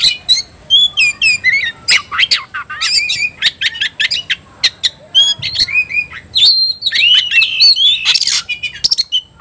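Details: Kacer, the Oriental magpie-robin, provoked to fight, singing a fast continuous stream of short whistles, scratchy notes and slurred chirps, growing denser with loud rasping bursts toward the end.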